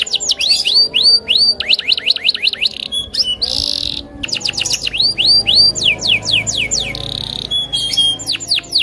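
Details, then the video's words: Loper canary in a fierce mood, challenging an opponent to sing: bursts of rapid descending whistled notes alternating with loud buzzy rasps and short pure tones, steady faint hum beneath. "Suara Burung KENARI LOPER NGAMUK Menantang LAWAN untuk BUNYI"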